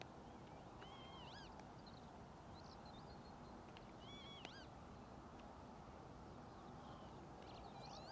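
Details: Northern lapwing (Vanellus vanellus) at Ljubljana Marshes, Slovenia, 13 April 2024, giving faint, wheezy slurred calls that rise then fall, three or four over eight seconds, over a steady low rumble of wind or distant traffic.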